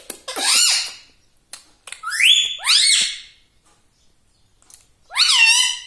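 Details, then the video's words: Talking pet parrot: hoarse rising syllables and a bright swooping whistle, then silence and a final loud, harmonic, speech-like call with a falling tail. "Talking parrot || mitthu mitthu || tota || Bolne wala tota"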